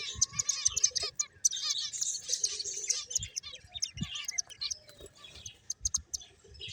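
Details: Several finches at play, giving a busy stream of thin, high chirps and rapid tweets that overlap almost continuously, plus faint low knocks.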